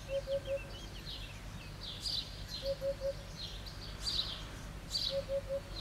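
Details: Eurasian hoopoe singing insistently from a roof tile: soft, low hollow triple hoots, 'oop-oop-oop', repeated about every two and a half seconds, over busy high chirping of other birds.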